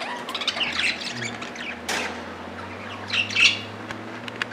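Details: Budgies squabbling over millet with a mix of chirps and harsh squawks, one sudden loud rasp midway and a shrill burst later, over a low steady hum.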